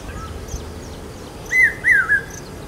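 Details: One three-note phrase from a common hawk-cuckoo calling in the monsoon around Aurangabad, heard as a sign of rain. Shrill whistles rise and drop over a quiet, faintly hissing background.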